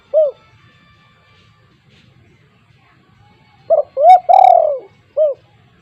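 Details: Spotted dove with a big voice, used as a lure for untrained doves. A lone arched hoot is followed by quiet, then one full phrase: short hoots, a long descending coo and a soft closing note.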